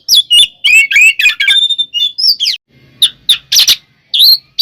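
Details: Oriental magpie-robin in fighting song to provoke other birds: busy stream of whistled, warbled and chattering notes, a sustained high tone, then scattered sharp chirps.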